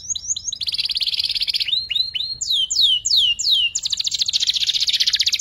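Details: Young canary learning ngeriwik twittering: short chips, a fast buzzy trill, a set of descending slurred whistles repeated in series, then a long, rapid high rolling trill.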